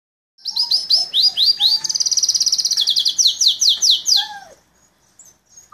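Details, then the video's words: Belgian canary singing a fast, bright song of repeated high chirps, a quick rattling trill and sweeping whistled notes, with a few lower piping notes. "Canario belga"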